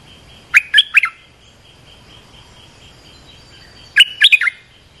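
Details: Olive-winged bulbul calls used to train young birds and lure wild ones: two bursts of three or four quick bubbly whistled notes, separated by over three seconds of quiet.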